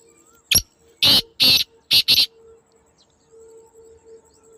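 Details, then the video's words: A kala teetar, or black francolin, calls in a natural setting. It gives one sharp rasping note, then two longer harsh notes, then a quick close pair, all loud and grating. A low steady hum runs underneath. "اصلی کالے تیتر کی آواز | Black Francolin Beautiful Call"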